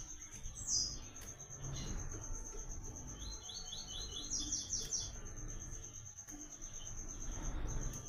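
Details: Double-collared seedeater, known locally as papa-capim or coleiro, in the caatinga of Brazil, giving its "Tui Tui" training song: a brief string of rapid repeated whistles and a higher trill, amid a constant thin high tone and background rumble.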